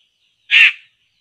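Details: Laughingthrush, known locally as poksay, calling while being lured for trapping: a single loud, harsh, rasping burst of about a third of a second, with a faint thin whistle in the background.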